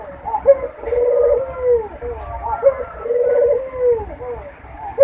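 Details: Barbary dove courtship cooing, a lure for breeding condition: repeated phrases of a short upward note and a long, steady, slightly wavering coo falling at its end, roughly every two seconds, over soft background noise.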